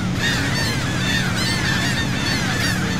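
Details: Gulls around a boat at sea near Saint Martin, Cox's Bazar, Bangladesh: a quick run of overlapping, nasal, curved cries from several birds, backed by a steady low engine rumble.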